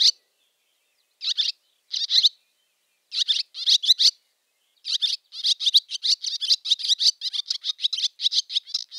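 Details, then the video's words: Barn swallow chatter: high, scratchy twittering notes in short bursts, growing into a fast, steady run of rapid chirps over several seconds. "How to attract Barn Swallow ? | Voice & Sounds | Chatter call"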